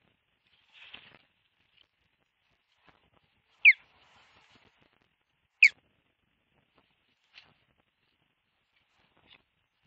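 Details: At a camera-monitored osprey nest in southwest Finland on 25 July 2023, as an osprey flies high carrying a stick in its talons, a few sharp, high whistled chirps sound a couple of seconds apart, two louder, otherwise quiet.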